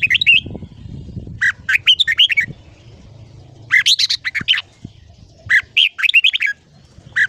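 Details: Morning song of a red-whiskered bulbul, played as ché-style voice training to excite young birds: three lively bursts of tumbling, slurred whistles separated by short pauses, with soft low knocking sounds between.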